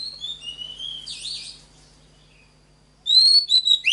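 Oriental magpie-robin singing high, clear whistled phrases that slide up and down, with a brief buzzy note. After a short pause come louder, ringing whistles.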